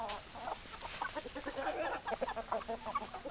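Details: Hens and roosters clucking together: rapid, overlapping short clucks and chattering notes from several chickens, irregular and continuous, with no crowing heard.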